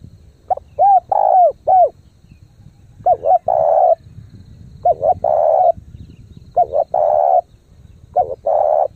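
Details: Spotted dove used as a lure bird, cooing in the fast, intense style called thúc gù: phrases of two or three short hollow notes, then a longer held coo, repeated every one and a half seconds over a low rumbling background.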